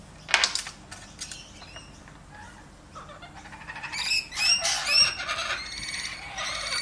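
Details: Lorikeet playing with a toy lorikeet indoors gives harsh, raspy screeches and quick squeaky chatter, in bursts that grow busier and louder toward the end, with a faint room hum underneath.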